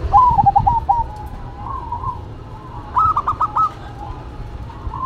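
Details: Local and cemani zebra doves duetting: a quick descending run of bubbly coos opens, a long soft purring trill follows, then a second bird answers with a clipped burst of rapid coos, over faint low background rumble.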